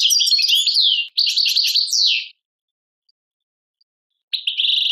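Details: Tadmait-style song of a European goldfinch from Algeria: fast, liquid twittering phrases with swooping high slurs, split by a short break. A silence follows, then a buzzy trill.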